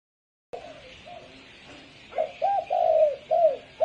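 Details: Spotted dove giving the deep 'sấm chuông' style call, used to stir males and females. After about two seconds of quiet room hiss, a run of five or six low, hollow coo notes follows in quick succession.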